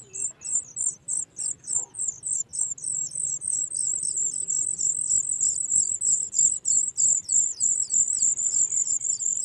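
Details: Young sooty chats being fed by adults bringing food from outside beg with a steady stream of very high, thin chirps, about three a second, merging into a shrill continuous trill.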